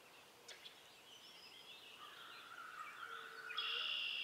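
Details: Common loon (Gavia immer), call.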